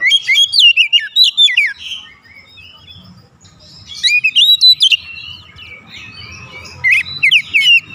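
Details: Oriental magpie-robin singing a lure song meant to rouse other magpie-robins into agitation: two bursts of loud, rapid whistled and sharply slurred chirping phrases about three seconds apart, with quiet low rumbling between them.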